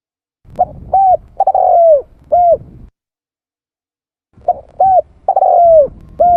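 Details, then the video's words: Spotted dove lure call, two cooing phrases separated by a pause of about one and a half seconds; each phrase has short mellow coos, then a longer purring coo that slides downward, ending with a clean final coo. "Suara tekukur pikat mp3 /suara burung tekukur / เสียงนกเขาใหญ่ / Turtle dove sound effects"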